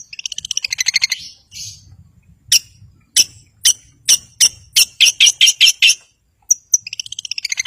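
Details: Long-tailed shrike used to provoke silent birds into singing: rapid stuttering trills of bright squeaky notes, then a string of sharp clipped chips at about two per second, ending in another quick rattling trill; faint low thumps underneath.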